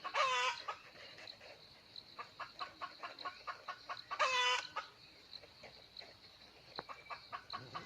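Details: ['Wild red junglefowl rooster crowing on 17 March 2020, drawn by a hen brought along as a lure: two short, harmonic, stuttering crows about four seconds apart, with steady rhythmic clicking and insect hum between them.']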